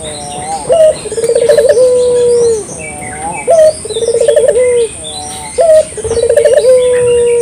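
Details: Clear local puter dove for luring: three unhurried phrases, each a brief high note, a rapid rolling trill and a long steady coo that sinks at the end, about every two and a half seconds, with soft chirps behind.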